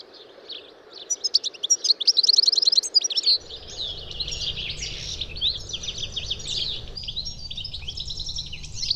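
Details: European goldfinch song, opening with a dense run of bright, rapid tinkling notes, then continuing as softer, more scattered twitters against steady background noise and a low rumble.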